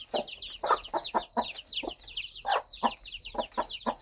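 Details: Gentle, rhythmic clucking of a mother hen calling her baby chicks, about three clucks a second, mixed with constant high, twittering peeps from the chicks.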